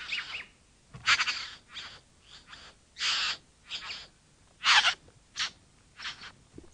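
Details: Bowerbird uttering a rapid run of scratchy, wheezing, churring bursts of varying length and loudness, some short and clipped, others longer and grating, over nearly seven seconds.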